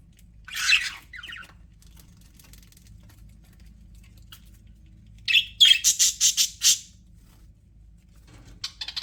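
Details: Happy budgies in an aviary: an opening scratchy warble, a long quiet stretch, then a rapid run of about eight buzzy chirps, followed by softer chatter at the end.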